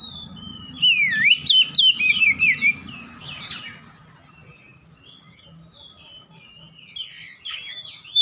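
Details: Oriental magpie-robin giving 'ngeplong gacor' song for home cage-bird training: a run of loud swooping, zigzag whistles in the first three seconds, followed by sparse short chips and thin whistles over a low background hum.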